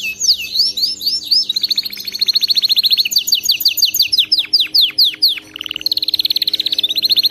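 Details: Canary training song: short rising chirps, then a dense rolling trill, a run of sharp descending sweeps, a brief lower nasal note, and a final fast rattling trill.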